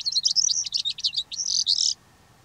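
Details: Calandra lark in Greece delivering a dense, rapid stream of scratchy chirps and trilled notes, loud and high, lasting about two seconds before stopping.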